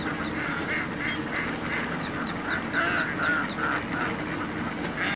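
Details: Hundreds of Indian ducks feeding in dam water; overlapping nasal quacks from the flock run almost continuously, roughly three a second, over a steady background hiss.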